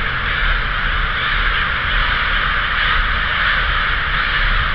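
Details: Flock of crows at Davis: a dense, unbroken wash of many overlapping harsh caws blending into a steady roar, with a constant low rumble beneath.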